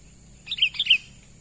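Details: Sooty-headed bulbul giving its natural call, used for luring wild birds: a brisk three-note phrase of sweet, slurred chirps, each dropping slightly in pitch, with a steady high hiss behind.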